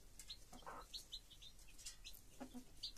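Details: Broody hen with her chicks: short high peeps from the chicks repeat through the clip, with a brief lower clucking note from the hen near the middle and a soft low cluck toward the end.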